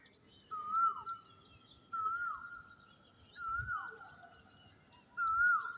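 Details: Asian koel calling at dawn beside a rooftop garden, 'kuhu kuhu': four clear whistled notes, each a level tone dropping at the end, spaced about every one and a half seconds over faint background noise.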